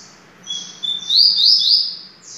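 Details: A single phrase from a Double-collared seedeater: a steady thin whistle that swells into three loud buzzy trilled notes, then fades.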